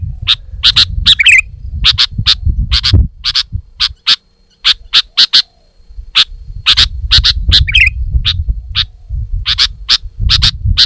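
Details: Female sooty-headed bulbul in a tutor and lure recording: bursts of crisp, high-pitched chips, some paired, two short rasping trills, a quieter pause mid-way, then more chipping over low rumbling noise.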